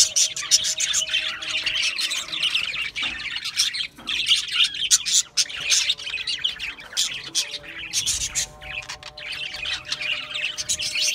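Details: A long run of budgerigar flock chatter, dense and continuous, full of scratchy warbles, short squawks and high chirps, with brief lulls and a faint steady hum behind.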